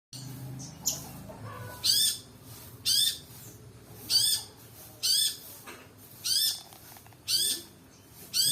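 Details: Long-tailed Shrike lure recording full of fill-in song: loud, harsh, buzzy rasping notes with a brief rising whistle, repeated about once a second over a quiet background with faint chirps.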